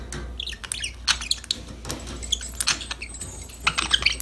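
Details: Budgerigars at play: soft, thin chirps and squeaky notes scattered among clicks and rustling, with a brief cluster of bright chirps at the end.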